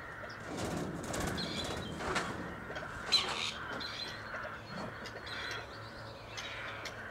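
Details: Two wild male grey partridges, released earlier by a conservation project at Tullow, returning to look for females; harsh, rasping, creaky calls in short bursts every second or so, over steady wind and rustling.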